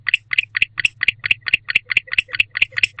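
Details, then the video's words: At 10:37 pm on 10/25/23, a male barn owl back at the owl box calls to his mate. He makes quick, harsh ticking pulses, roughly thirteen in three seconds, over a faint low hum. "Male Barn Owl Back in the House Calling to His Mate"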